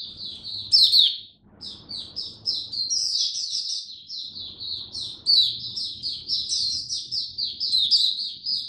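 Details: Rich, continuous twittering song of a caged oriental white-eye in the 'buka sing raja' style, in cold rainy weather: quick high chirps strung together in rolling phrases, with one brief drop in volume early on.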